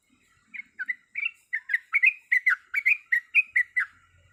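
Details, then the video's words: Female yellow-vented bulbul in breeding condition calling for a male. Silence first, then about fifteen crisp, bouncy chip notes, spaced unevenly at first and then quickening into a rapid burst that ends abruptly. The background is quiet. "Suara Ropelan Trucuk Gacor Yang Ngotot Memanggil Lawan"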